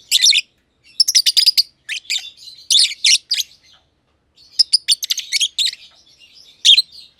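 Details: Pair of aviary lovebirds, green personata under a year old and green pied personata, calling with rapid, scratchy high-pitched chirps grouped in busy clusters, a quieter pause near the middle, then more chattering bursts.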